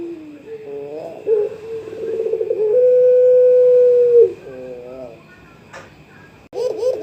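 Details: Pelung-style young Barbary dove calling out to a rival, giving wavering low coos before a long, level, sustained note of about two seconds that drops away, followed by softer coos and a brief click.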